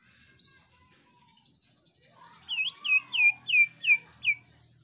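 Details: Gacor screaming song of a greater green leafbird (cucak ijo), used to set other birds singing: soft twittering and a thin buzzy trill build into six loud, hooked, ringing whistles.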